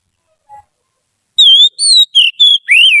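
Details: Oriental magpie-robin, a trained caged bird used as a song tutor, opens with a faint low note, then delivers a run of five clear whistled notes, some level and some swooping downward, each separated by short gaps.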